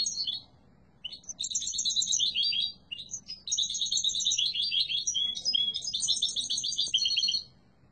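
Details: European goldfinch, yellow mutation, delivering loud twittering song phrases: an opening chirp, then two long bursts of fast jingling trills with a short gap, and a final sustained phrase ending in silence.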